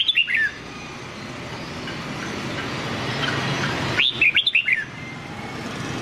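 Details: Nam Đông-style song of a white-cheeked red-whiskered bulbul, a training voice: two quick bursts of clear, tumbling whistled notes, one at the start and one after a four-second pause, over faint background hum.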